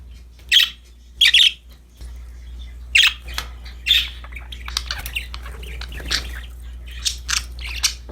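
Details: Budgies, happy while playing with a new toy, start with a few loud rasping chirps, then break into softer overlapping chatter and scratchy notes from several birds, with a steady low hum beneath.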